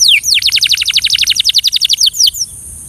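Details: Belgian canary for training delivering a rapid, even series of bright descending notes, roughly eight per second, with a high thin note at the end.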